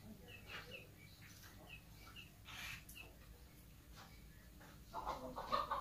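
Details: An Oriental magpie-robin gives short, clear notes about twice a second, mixed with harsh, mewing cat-like bursts that grow louder toward the end; a lure recording used to make other magpie-robins sing.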